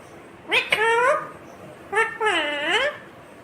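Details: Green ringneck parrot speaks two short human-like phrases of clear harmonic tones, the second a long dipping-then-rising sound, indoors.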